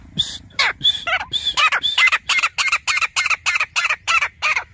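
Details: Grey francolin calling in a city: a loud, harsh series of ringing notes, about three or four a second, steady and insistent, with no other clear sounds.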